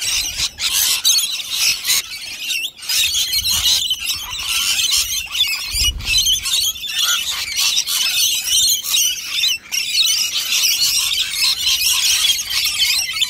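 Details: A flock of rainbow lorikeets going wild over a nectar feed, keeping up a constant high-pitched screeching and squabbling chatter, broken by short sharp clicks and knocks, with a faint low rumble around the middle.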